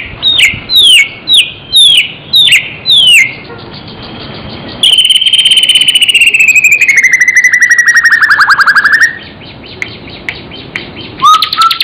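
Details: Murai, a pet songbird in Indonesia, in full song with mimicked phrases. A run of six falling whistled notes is followed by a long, slowly descending buzzy trill, then a rising whistle.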